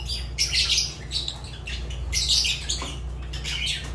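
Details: Fischer's lovebird kept as a pet, calling with harsh, shrill, buzzy squawks in separate bursts, three main outbursts within a few seconds, a low mechanical hum running underneath.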